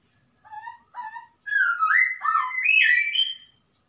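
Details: Forest-dwelling wild masked laughingthrush giving two short hollow notes followed by a long, loud warbled whistle that climbs and dips, overlapping phrases building upward before fading.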